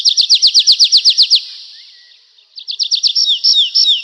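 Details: Nightingale singing: a rapid train of about ten loud, sharp repeated notes lasting just over a second, a brief pause, then another quick burst followed by slower whistled notes that slide downward.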